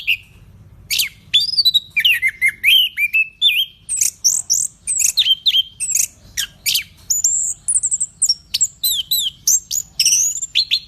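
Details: Orange-headed thrush (anis kembang), described as a very vigorous singer, pouring out a rapid medley of high whistled and chirped notes, some sliding downward, others short and clipped, with brief gaps between bursts.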